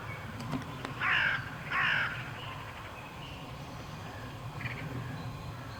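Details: Cranes returning north on migration: two loud, harsh, rolling calls about a second apart early on, then a fainter call near the end, over steady low rumbling background noise.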